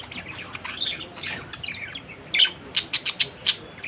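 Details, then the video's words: Budgerigar warbling in quick, squeaky notes that give way to a series of sharp, clipped chirps, about four or five in the final second and a half. "BADRI PAKHI || BIRD NEW SOUND"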